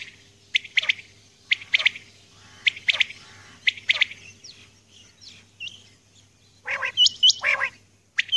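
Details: A female common quail calls at dawn with a steady series of short bright chirps about once a second. Louder hooked whistled pairs follow near the end over a faint low hum.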